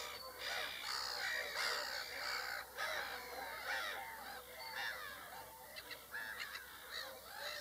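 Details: Several whooper swans give a busy stream of trumpeting, honking calls, about two or three notes a second, overlapping irregularly, with short pauses and softer calls toward the end.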